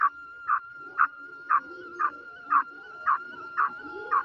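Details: Female black francolin giving a steady run of short, clipped notes, about two per second, evenly spaced, over a continuous faint tonal hum.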